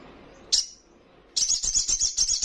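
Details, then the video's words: Juvenile little spiderhunter in full, persistent song: one sharp high chirp, a short pause, then a fast buzzy trill of rapidly repeated high notes lasting over a second. "Sogon trotolan paling gacor dan bikin emosi lawan!"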